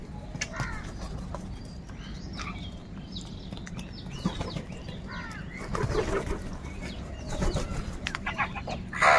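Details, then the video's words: A huge number of crows crowing and crying together: overlapping harsh caws and hoarse, arching cries from many birds, some close and loud, others distant, over a steady low hum. "Huge numbers of crows crowing and crying sounds | কাকের ডাক Crow Sound Crow ki Awaz"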